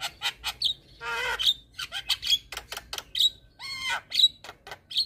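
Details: Javan myna, white-eyed jalak kebo, pumping song meant to coach young mynas: rasping squawks alternate with short sharp chirps and clear whistled pips in an uneven, busy stream.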